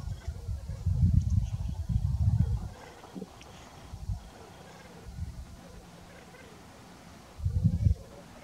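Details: Black grouse lekking in north Wales on 17 October 2018, filmed with a compact camera: deep, low bubbling rumbles in bursts about a second long, repeated several times with quieter gaps between.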